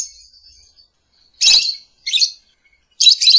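A lovebird gives three harsh, high chirping calls about three-quarters of a second apart, after a faint thin twittering at the start.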